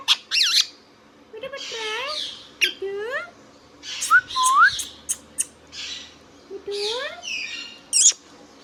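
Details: Pet Indian ringneck (rose-ringed parakeet) talking: chatters in bursts of rising, whistled and squawky syllables, some speech-like, with harsh screeches between them in a quiet room.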